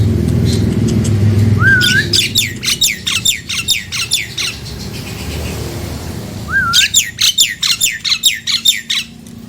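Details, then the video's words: Nias hill myna recording played to set off sluggish mynas singing: a rising whistled opener followed by a rapid train of sharp downslurred notes, the pattern repeated twice, with low background rumble. "Tempel dan pancingJALAK NIAS ini agar jalak nias yang macet dan malas bunyi lngsung nyaut dan gacor!"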